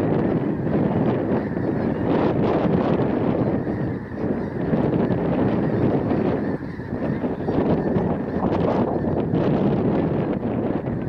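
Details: Large flock of snow geese landing in a field behind a house, giving a continuous wall of overlapping nasal honks with no pauses, loud and steady.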